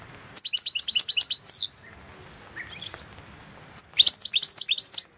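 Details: Contest song of a European goldfinch, 2016 World Championship in Goldfinch Song; a fast tinkling twitter ending in a harsh falling buzz, a pause with a faint note, then another quick burst of liquid twittering.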